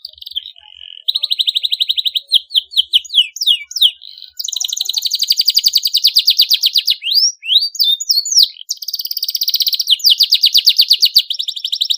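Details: Canary singing continuously with sharp rolls, used as a lure to stimulate young canaries to sing: a fast high trill, then buzzy repeated notes and downslurred whistles, with long rapid rolls returning near the end.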